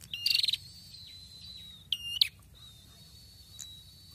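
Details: Red-headed prinia singing strongly again after moulting: loud rattling buzzy bursts and a long high whistled trill held steady, followed by a second buzzy burst and faint thin notes.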